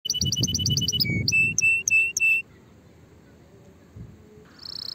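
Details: Canary song for tutoring young birds early before the coming season. It opens with rapid repeated high trills, then four or five clear whistled notes, a quiet pause, and a buzzy high roll at the end.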